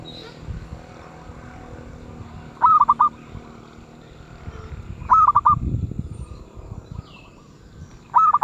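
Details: 'Suara sedang' (medium voice) cooing of a zebra dove, three crisp rolling phrases of four rapid beats roughly every two and a half seconds, against a soft low hum and a brief rustle.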